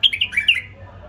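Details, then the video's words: Captive-bred hybrid bulbul delivering a quick run of four or five warbled, whistled notes sliding gently downward, ending within half a second, with a faint low hum behind. "بلبل مهجن من أنتاجي وتخريجي"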